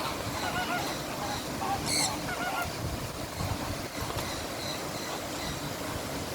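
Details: Scarlet macaw at Bird Paradise Singapore: one loud, harsh squawk rings out midway, with a few fainter short calls before and after, over steady low-pitched ambient rumble.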